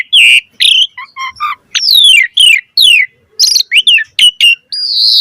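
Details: Persistent song of an Asian pied starling, used as a lure to prompt a quick reply: loud, varied phrases mixing buzzy high notes, short paired chirps, steeply falling slurred whistles, and a final drawn, rising whistle.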